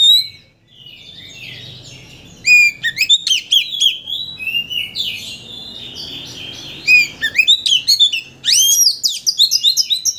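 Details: Kacer (Oriental magpie-robin) lure song aimed at arousing another bird to sing all its repertoire: soft warbling, then loud bursts of high whistles, quick trills and rising chirps repeated densely toward the end.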